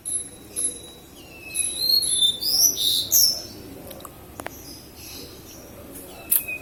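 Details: Javan bush lark, a local bird from Kediri, Java, singing actively: varied high whistles, bright slurred notes and short buzzy bursts, some rising and falling, delivered in quick irregular phrases over faint background noise.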